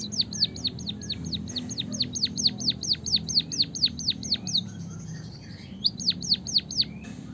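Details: Long rolling canary-style phrase from a white-headed munia: some twenty crisp high whistles, each dropping steeply in pitch, repeated at a steady quick pace. After a short break comes a second brief burst of the same notes.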